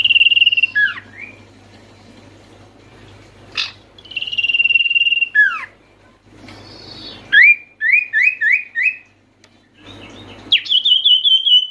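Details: Sirtu, the Oriental white-eye, calling to coax reluctant birds into song: high steady whistles, sharp downslurred notes, and a run of five quick chirps in a row, separated by pauses with low background hum.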